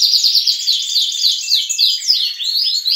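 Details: Young and adult canaries singing together at dawn in a breeding room, a busy overlapping chorus of fast chirped notes and short rapid downslurred trills, high-pitched throughout, with no other sounds.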